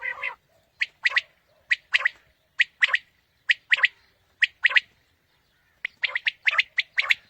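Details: Quail calling for hunters in the morning. A steady string of loud, high three-note phrases, one short note then a rapid pair, repeated about once a second, with a brief pause before a busier final run.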